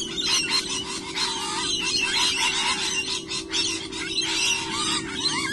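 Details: Lorikeets near a sea eagle nest on 15 October 2011, very noisy: a dense, continuous chorus of shrill, screechy chattering calls from many birds, overlapping without pause, with a steady low hum underneath.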